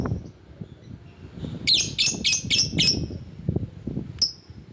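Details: Lovebird lure call meant to attract rivals: a fast, buzzy burst of about six high chirps in under two seconds, then a single sharp note, over steady low noise.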